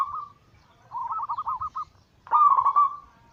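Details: Zebra dove, a local Bangkok cross with cemani katuranggan silver, singing the anggungan coo used as a lure: a brief soft note, then a rapid run of pulsed stuttering notes, ending in a louder drawn-out rolling coo.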